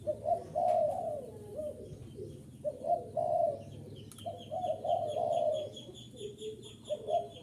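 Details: Luring call of a spotted dove meant to draw in wild birds: throaty, mellow coo phrases rising then falling, given in short bursts about every two seconds, with thin chirps from other birds behind.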